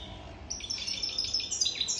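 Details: European goldfinch over three years old bursting into song after a half-second lull: a quick series of high, twittering and trilled notes that climb and tumble over about a second and a half.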